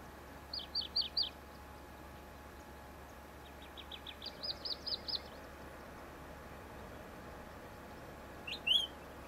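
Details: Pine grosbeak at its nest in elfin pine forest on Sakhalin island: quick bursts of four or five bright, high chirped notes, a pause, a longer chirping run, then a single sharp upslurred note, over a steady low hum.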